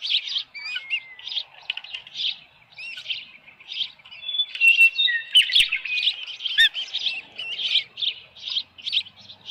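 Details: Osprey nest at Dunrovin Ranch with a headless fish, 6:41 PM, 10 June 2018: softer, irregular high chirps and short slurred whistles, varied in pitch and spacing, with a couple of faint clicks.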